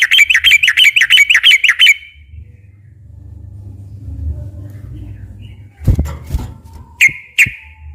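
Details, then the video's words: Sooty-headed bulbul in a lure recording for captive birds: a fast burst of about eight sharp, repeated whistled notes, then a low rumble, a thump and rustling, and finally two more clear whistled notes. "kicau suara burung trucukan gacor ropel panjang ini cocok buat pancingan trucuk yg bahan agar bunyi"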